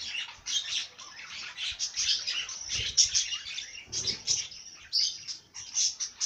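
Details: Lively bird song: a steady stream of high chirps, twitters and trills throughout, rising and falling in loudness.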